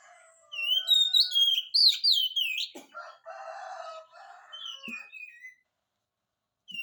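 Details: Oriental magpie-robin singing strongly to provoke a silent bird into reply: about two seconds of loud, looping whistled phrases, followed by a lower, rougher, muffled sound and a brief gap.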